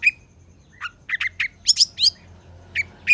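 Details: Long-tailed shrike song for tutoring lazy shrikes: scattered short whistled and scratchy notes with pauses, a pair of higher sliding notes midway.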